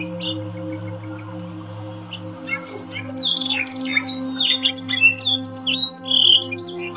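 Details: Yorkshire canary singing as training sound for other canaries; thin high whistles open, then a lively burst of rapid swooping notes and slurred trills, with persistent low electrical hum.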